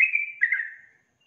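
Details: A single slurred whistled phrase from a female yellow-vented bulbul luring a male, held briefly then dropping and fading within about a second; nothing else audible.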